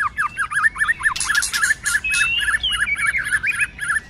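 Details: White-rumped shama singing a fighting song in many voices, kept in good form through the cold season: fast runs of looping whistled notes near the middle of its range, repeated about four per second, with bursts of high harsh rattles overhead.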